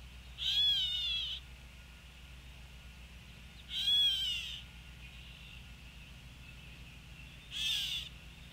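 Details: Gray Catbird at feeders in Sapsucker Woods, Ithaca, New York, on May 27, 2020, gives three nasal, raspy, cat-like mews, each slurred downward and about three and a half seconds apart, over a low steady hum.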